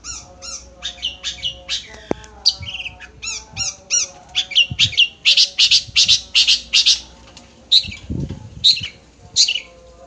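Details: A nogosari-type long-tailed shrike pours out fast, loud sequences of harsh high notes, clipped whistles and dense buzzy bursts, irregular but nearly continuous, with a few soft low thumps in the background.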